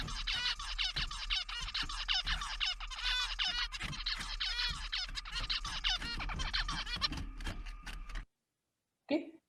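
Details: A male zebra finch gives his courtship song and dance to a female, a fast run of nasal, buzzy syllables for about eight seconds, then silence before a brief soft noise.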